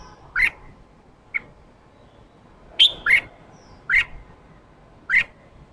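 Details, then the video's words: Newly caught red-whiskered bulbul, caged, being stimulated to give ché calls beside an excited male: sharp, bright chips spaced roughly a second apart, one quick double note in the middle, with a quiet background. "Kích chào mào bổi ra giọng ché chào mào ché kích trống căng lửa ché"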